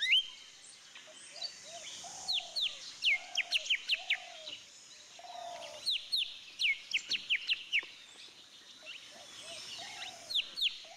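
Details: Golden-fronted Leafbird (Chloropsis aurifrons) in a garden in western Thailand, a rare garden visitor that came for banana, giving quick, sweet downslurred whistles and chips in bursts, over lower mellow hooting notes from another bird.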